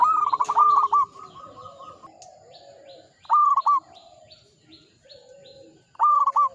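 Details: Old local zebra dove singing steadily: three bursts of rapid, throaty cooing notes, each a short rolling phrase ending in a stutter, about three seconds apart, with fainter doves cooing softly between them.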